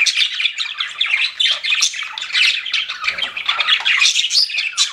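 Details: Several pet budgerigars chirping together in a dense, continuous chatter of warbled, scratchy notes and squawks, with no pauses across the whole stretch.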